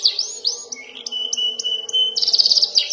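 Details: Young canary practising its roll: sweeping rising-falling whistles, a thin sustained high note with short bursts of chirps, then a quick trill of repeated bright notes near the end over a faint steady hum.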